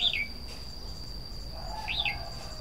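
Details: Two brief warbling phrases from a red-whiskered bulbul, each a quick down-slurred whistle, about two seconds apart over a constant high-pitched electronic tone.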